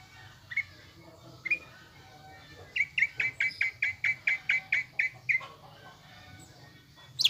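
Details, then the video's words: Greater green leafbird song used as a lure to rouse caged birds into a fighter mentality: two isolated notes, then a long even run of about a dozen whistled chirps at steady pace, closing with a high sharp call. "PANCINGAN CUCAK IJO GACOR AGAR EMOSI UNTUK MEMBENTUK MENTAL FIGHTER"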